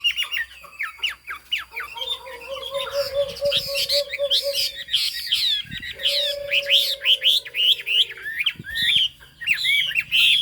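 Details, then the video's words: Chinese hwamei with a fig-leaf tail and turmeric-coloured bill singing in the high-pitched 'cao cầu' style. Loud, varied whistled phrases of rapid rising and falling notes repeat throughout, over a long, steady low tone. "Họa mi hót cao cầu"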